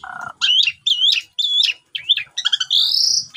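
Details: Javan pied starling singing as a morning lure to make a silent bird sing, phone recording: low rattle, then repeated squeaky looping phrases about every half second, ending in a long high buzzy note.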